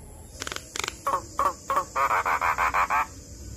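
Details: Lively adult Javan myna calling to lure other mynas into answering: a few clicking rasps, then nasal, croaking notes repeated about three times a second in an even rhythm.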